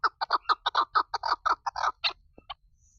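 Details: Female chukar partridge: a steady string of loud, hoarse chuck notes, roughly five per second, fading into two or three soft, thin notes and silence at the end.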